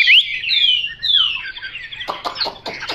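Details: Chinese hwamei singing: a sharp rising whistle, then long clear slurred whistles sliding downward, ending in a burst of rapid, emphatic chattering notes.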